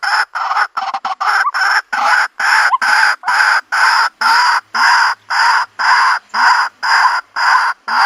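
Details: White-breasted waterhen sound used for luring birds into a trap in rural country: a steady series of coarse, loud croaks, about two each second, evenly spaced and unbroken.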